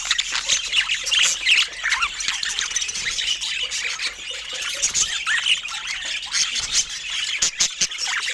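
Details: Budgerigars chatter nonstop, layering squawks, chirps and quavering warbled notes into one restless stream, punctuated by occasional sharp clicks toward the end.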